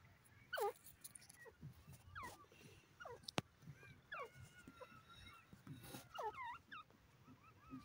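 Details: Francolin (teetar) calling: loud, sharp downward-sliding notes in short bursts, with fainter descending calls between them. Other birds whistle thin, wavering notes in the background over a low rumble.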